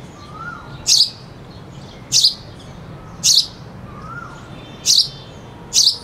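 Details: Sparrow chirping, with a cuckoo singing in the background: short, sharp, high chirps about once a second, and a faint sliding whistle falling in pitch behind them.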